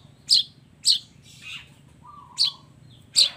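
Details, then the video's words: Long-tailed shrike singing loudly, a combined song with mimicked fill-ins: sharp, scratchy notes spaced about half a second apart, one softer buzzy note and a faint low whistle between them. "suara kicau cendet gacor FULL KOMBINASI ISIAN AMPUH"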